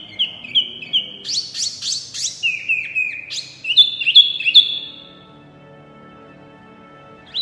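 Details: Loud, energetic white-eye song: repeated high whistled notes dipping in pitch, a burst of sharper buzzy elements, then a string of three bright notes before falling silent and one last note.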